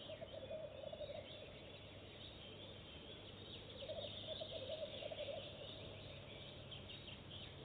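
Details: Goosander visiting a nest box for the first time and laying eggs at once; low, rattling croaks come in two stretches of pulsed notes, over a steady low hum, with faint high chirps of other birds.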